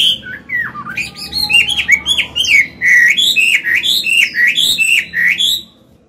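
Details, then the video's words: Song of a mature Chinese hwamei with a forest voice, played to train new birds and stir males into singing: a steady string of rich, looping whistles, each rising then falling, delivered rapidly for about six seconds. "Họa mi già giọng cực hay, luyện bổi, kích trống hót hay"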